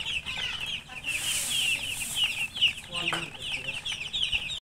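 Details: Many baby chicks, just born and thirsty for water, chirping loudly: a continuous stream of shrill, rapid peeps overlapping from several birds, with constant background hiss.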